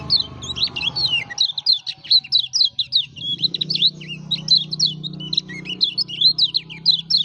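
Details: Lemon-bellied white-eye (kecial kuning) from Lombok in full, lively song. A continuous run of rapid, sharp, high chirps and twittering trills rises and falls without pause. A low hum sits underneath.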